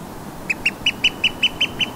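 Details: Eurasian oystercatchers in their natural saltmarsh habitat at Burnham Overy, North Norfolk coast, UK, on a May evening at 20:35. Nine short, shrill piping notes come about five per second over the steady hiss of distant gentle North Sea surf.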